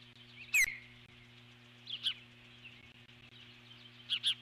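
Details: Nesting eagle alert-calling at an intruder, a large bird flying by the nest, 12 July 2014; a loud downward-slurred squeal followed by spaced pairs of shrill, high chirps, with a constant low hum behind.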